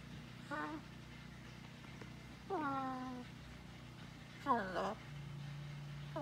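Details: Pet blue-and-gold macaw on a farm, in spoken exchange with its owner: a short syllable, a longer level harmonic 'hello', then a louder bent phrase, about two seconds apart, over constant low hum.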